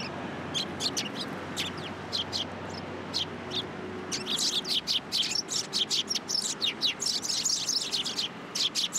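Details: Several sparrows arriving to be fed at a Tenmangu shrine in Japan on 3 October 2022, chirping rapidly; sharp high notes come in quick runs that grow dense and almost continuous in the second half, with a faint low hum beneath.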